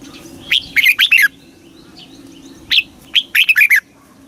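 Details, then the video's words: Red-whiskered bulbul song, southern master style, Thailand, for stirring caged birds and teaching young birds: two loud phrases, each a rising whistle leading into a quick cascade of sweet warbling notes. "เสียงนกกรงหัวจุก สำหรับต่อ หรือ เปิดให้นกคึก เสียงเพราะๆ"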